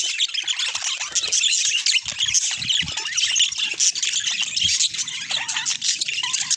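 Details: A natural recording of budgerigars: a lively wall of high warbles, chirps and harsh squawks from several birds, with a few faint low knocks in between.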